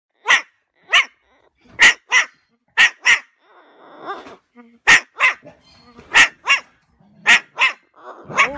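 A cockatoo gives a dog-like bark, about a dozen harsh woofs mostly in quick pairs, with soft muttering between the bursts.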